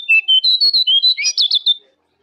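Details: Master recording of a jongkangan for training caged birds: a quick, even string of about a dozen loud, high whistled notes, ending in a brief tumbling flourish.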